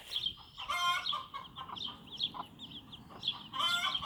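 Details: Bantam mother hen with her chicks taking their first steps outside on a small backyard farm; high thin peeps of chicks repeat quickly and overlap, broken by loud harsh bursts of clucking near one second and again at the end.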